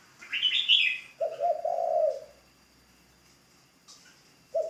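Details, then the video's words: High, scratchy chirping from another bird runs straight into one low, rough coo from a spotted dove kept as a ground decoy in training, with a further coo just starting at the end. "Tiếng chim cu gáy mồi đất"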